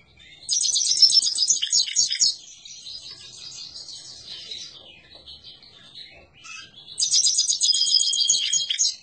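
A Himalayan goldfinch sings a bright, rapid, tinkling twitter in two loud bursts, with softer jangling notes between them.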